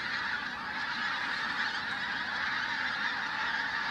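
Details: Large flock of pink-footed geese at Flitcham on 5 January 2017, a dense continuous chorus of overlapping high honking calls from many birds, steady throughout with no break.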